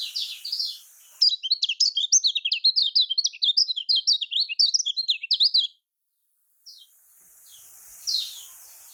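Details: Lemon-bellied white-eye, called kecial kuning, in a Lombok-style lure recording meant to get quiet birds singing: a rapid, unbroken stream of high, sharp chirps for about four seconds, then silence and a faint later note.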